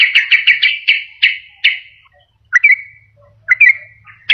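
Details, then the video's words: Lure call of a sooty-headed bulbul, meant for attracting wild birds or coaxing silent ones into song: a run of rapid sharp chirps slowing into spaced notes, then two brief clipped phrases ending in drawn-out whistles. "SUARA PIKAT BURUNG TRUCUKAN PALING DI CARI || BISA JUGA BUAT PANCINGAN TRUKAN MALAS BUNYI"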